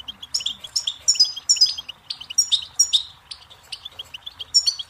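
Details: Goldfinch delivering crisp, high twittered phrases with tinkling and slightly buzzy notes, bursts spaced by short silences, against a quiet, clean background.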